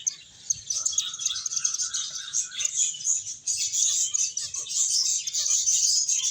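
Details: Busy finches chirp nonstop as they play and eat; thin, high tweets crowd together, growing louder and denser in the second half, with a faint short whistle early on.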